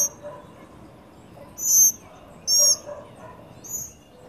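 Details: At a Trinidad birdfeeder on a sunny day, a family of tropical mockingbirds with babies gathers to eat; two loud, harsh, high chack-like bursts close together, a fainter note after them, and soft background rustle.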